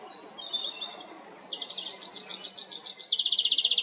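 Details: Common chaffinch at La Perle du Lac, Geneva, Switzerland, singing to defend territory and attract mates: faint whistles first, then from about 1.5 seconds a loud, accelerating trill of repeated high notes that drops slightly in pitch.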